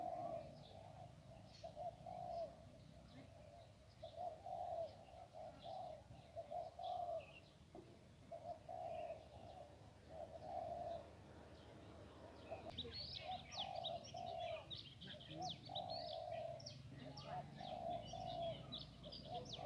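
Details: A spotted dove coos steadily with a soft repeated phrase of low, hollow notes near an electric pole by a house in Lamphun, Thailand, on a rainy day while a captive decoy dove is used to lure a small-voiced wild male.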